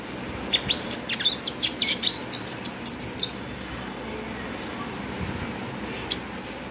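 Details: Five-coloured sunbird kept as a pet sings a lively twittering run of high, sliding and buzzy notes for about three seconds, then falls quiet before one lone chirp.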